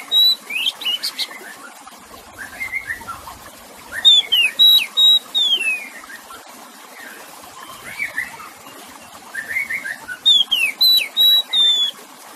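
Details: Oriental magpie-robin song over trickling water for calming stressed kept birds: bursts of loud whistled phrases with falling slurs and steady tones, separated by quieter chirps and pauses, repeating roughly every few seconds.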